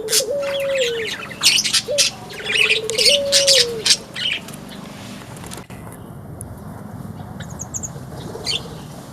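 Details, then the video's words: Constantly singing Buxtomi white-eye in a mini aviary: quick, high, chattering twitters for about four seconds over a lower, drawn-out whistled tone, then near quiet with a few faint chirps "Burung Pleci Buxtomi yang Selalu Gacor"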